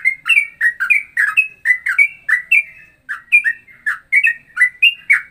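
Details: Ropelan song variation mixing Straw-headed bulbul (cucak rowo) and trucukan styles: a steady stream of loud, fluty, chirping double notes, about three per second, with one brief break.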